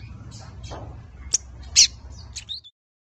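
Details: A 5-month-old captive Lined Seedeater, still learning the 'tui tui zel zel' song, gives scattered thin, high chirps and short buzzy notes, loosely spaced and unfinished, over a faint low hum.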